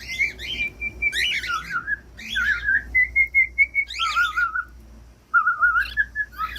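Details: Pet cockatiel song for training cockatiels to sing: sustained level whistles alternating with harsher buzzy chirps, several long wavering whistled notes, a short quiet gap before a final whistle.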